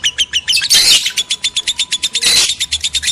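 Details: Male and female lovebirds in a breeding-lure recording: fast, evenly pulsed high chirps repeated about six times a second, interrupted by two harsh noisy squawk bursts.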